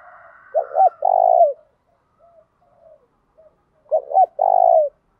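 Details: Spotted dove singing the 'thổ đồng' style, meant to provoke males into responding; two phrases about 3.5 seconds apart, each a pair of quick low coos followed by a sustained throbbing coo, a faint hum at the start.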